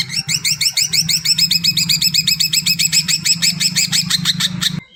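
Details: Greater green leafbird delivering a long series of quick, upward-flicked high notes at a steady pace over a constant low hum, stopping abruptly; played to stir silent birds into song.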